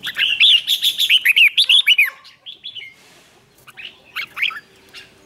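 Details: Contest singing of a red-whiskered bulbul, used to provoke other birds to sing along: a loud run of rapid, bright, warbling whistled notes for about two seconds, then softer, scattered short phrases.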